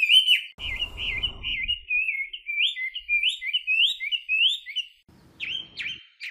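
A Chinese hwamei pours out a loud, unbroken stream of rich whistled phrases that slur up and down, with a brief low rumble early on.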